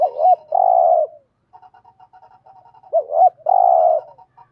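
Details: Spotted dove cooing meant to spur other doves into calling, two rounds of a hooked two-part note and a long burry coo, with a faint stuttering series of soft notes in between.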